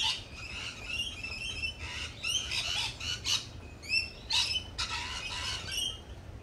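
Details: Lorikeets at a cafe give a dense run of shrill, grating squawks and rising screeches in quick succession, with a low hum underneath.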